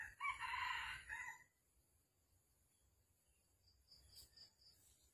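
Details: Red junglefowl heard during trapping in Vietnam on the morning of 13 December 2021, with a hen call used to lure a rooster: a brief, harsh crowing burst at the start, then low rumble and faint high chirping.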